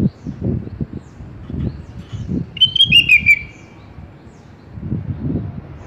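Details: Sooty-headed bulbul song from a tutor recording for pet bulbuls. One short bubbly phrase of quick, falling chirps rises out of the middle, while repeated low rumbling bursts of noise come and go throughout.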